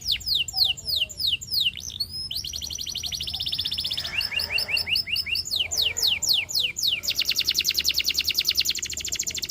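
A canary sings a rapid, varied song of bright descending sweeps, fast trills and rolling high-pitched tours, changing phrase every second or two.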